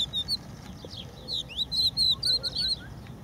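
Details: Song of a crested lark on the beach at Empuriabrava, Spain, where the species is specially protected: a fast run of bright whistled notes, some slurred up and down, delivered almost continuously with faint background hiss.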